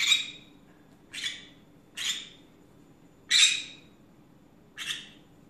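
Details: Pet green-cheeked conure chattering during an afternoon rant: five harsh, broadband squawks spaced roughly a second apart, each short and noisy, over a quiet indoor background with a faint low hum.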